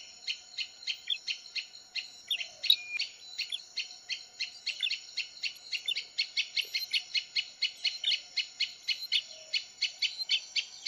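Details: Bar-winged prinia pair, male and female, calling excitedly to each other for a lure: a fast, steady run of sharp high chips accelerating into a dense rattle, with a thin hum behind.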